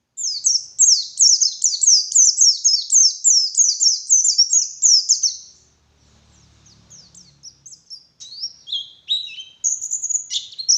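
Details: White-eye singing a morning lure, wild forest type: a long, steady run of rapid high down-slurred chirps, then a brief pause with a low rumble, then scattered sharp whistles and chirps resume.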